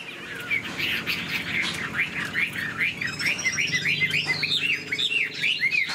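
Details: Chinese hwamei in a cage, wing-flicking and singing with tail spread; quick repeated downward-then-upward whistled notes, more than two per second, over a low background hum.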